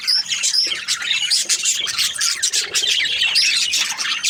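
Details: A group of Australian budgies chirps nonstop, with quick squeaky notes and short rising whistles scattered through a dense, high, scratchy babble.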